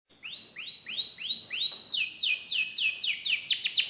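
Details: Caged canary singing vigorously with a richly ornamented, special phrasing: a series of bright upslurred whistled notes about three to four per second, switching midway to higher, louder swept syllables that speed up toward the end.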